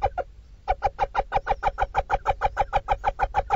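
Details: Little owl mother feeding her brood in a Dorset nestbox: two clucking notes, a short gap, then a regular run of about sixteen harsh notes at roughly three per second.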